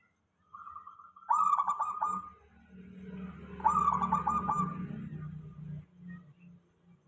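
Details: Lure recording of a local zebra dove to make others respond: a soft lead-in note, then two rolling, stuttered cooing phrases over a continuous low droning hum.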